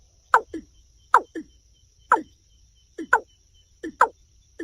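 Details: Paired notes from a watercock: a strong falling cluck, then a quieter, lower one, repeated about every 0.8 seconds over a faint steady high tone.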